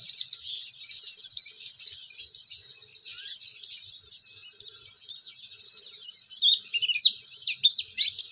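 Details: Oriental white-eye singing to set off other white-eyes: high, bright slurred chirps in a quick run, with a short lull near the third second, then more rapid twittering to the end, with a clean background.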